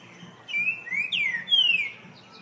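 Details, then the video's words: Green-winged saltator (trinca-ferro) song: three loud, clear whistled phrases, slurred and falling, in quick succession over a faint low hum. "Trinca ferro canto lindo"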